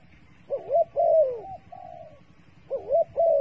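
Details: Dove kept as bait for trapping, delivering a wavering coo followed by a long descending slurred note, then another rising-falling pair after a gap.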